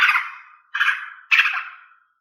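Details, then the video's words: Female cucak ijo song used to prompt males to sing: three harsh, noisy descending bursts, each fading out, spaced about 0.6 seconds apart, in a quiet setting. "Siulan Kicau Cucak Ijo Betina untuk Buat Cucak Ijo Jantan Berbunyi"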